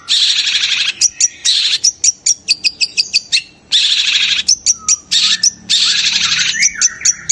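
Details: Long-tailed shrike whose cry is said to stir other shrikes into excitement and instant singing: harsh broadband screeching bursts alternating with rapid clicking ticks and a few short whistled notes, loud and close.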